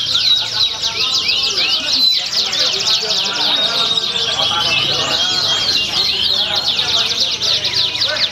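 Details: Canary at a Pringsewu bird-singing competition on 22 September 2019. Continuous high warbling trills and sweeping chirps carry on without pause, layered with other singers and distant human voices.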